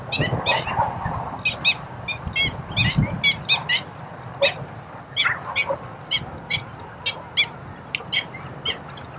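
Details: A noisy group of black-winged stilts at Basai Wetlands, Gurugram, India, gives sharp, nasal, yelping notes in quick overlapping bursts, several each second, over a low rumble and a steady high hiss.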